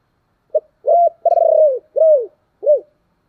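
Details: Spotted dove cooing, a recording meant to make wild doves coo back: one phrase of five low mellow notes, a short first note, a long trilled middle note, then two downslurred coos, in a quiet setting.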